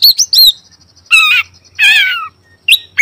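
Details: Oriental magpie-robin singing, recorded across morning, afternoon and night: short high whistled notes, then two harsh, buzzy, rasping bursts with a sliding clear phrase between them, and quiet gaps.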